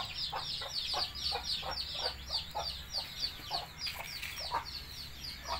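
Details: Hen calling chicks to feed with rapid, evenly spaced low clucks, about three per second, mixed with a chorus of shrill, down-slurred chick peeps and a steady low hum.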